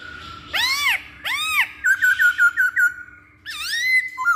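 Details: Masked laughingthrush song serving as a lure to get other birds singing: two loud arched whistles, then a rapid run of short clear whistled notes, a pause, and a rising whistle.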